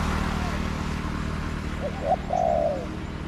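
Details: Spotted dove in a garden, answering a decoy during trapping, with a single phrase: two quick low notes then a long, slightly rough coo tapering downward, heard over a continuous low background hum.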